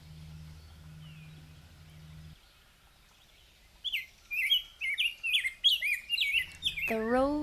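A Rose-breasted Grosbeak sings a sweet, rolling warble of quick rising and falling whistled notes for about three seconds. A low hum comes first, and a man's voice speaks at the end.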